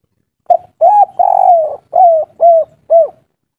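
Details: A wild local spotted dove sings a soft 'kuk 3' style phrase. A quick opening note is followed by a full coo and a long sliding coo, then three clear downslurred hoots repeated about twice a second. The background is otherwise silent.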